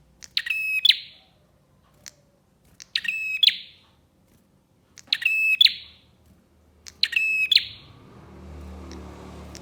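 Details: Bar-winged prinia lure song meant to set other prinias singing: four sharp, high bursts of rapid clicks and piercing chirps about every two and a half seconds, with a soft hiss rising at the end.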